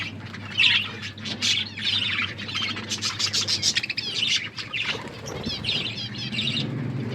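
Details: Pet budgies feeding and chirping, a busy flock chatter of sharp squeaks, rolling warbles and short buzzy notes overlapping without pause, over a faint low hum.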